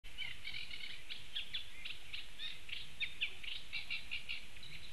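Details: Eurasian reed warbler in Latvia, 4 June 2015: a continuous chattering song of short harsh and grating notes repeated in rhythmic series, two or three times each, with a steady low hum of wind or distant noise.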